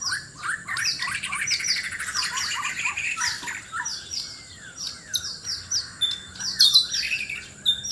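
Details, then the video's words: White-rumped shama of Sabah, Borneo, seeking a mate in a loud song duel: fast repeated high chirps and trills, then sweeping downward whistles and scattered sharp notes, a steady high tone persisting. "Murai batu Sabah: aksi mencari pasangan lawan suara keras"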